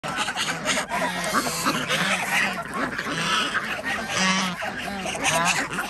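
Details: Ducks calling at feeding time on an organic village duck farm in Andhra Pradesh, where chickens and geese are also fed; a dense chorus of nasal, honking calls overlaps continuously, with harsh bursts above it.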